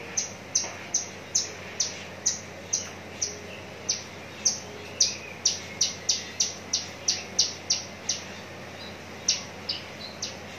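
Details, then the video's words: Caged Javan bush lark from Cikupa, Tangerang, described as ready for a singing contest, giving a long series of sharp, high chirps, each a bright downward-flicking note, repeated about twice a second over steady low background hum. "branjangan parva joss siap gantang"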